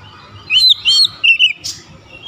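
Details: Oriental magpie-robin singing in an aroused, combative mood in answer to a rival, with clear whistled notes and slurred two-note phrases around a second long, then a burst of hissy noise.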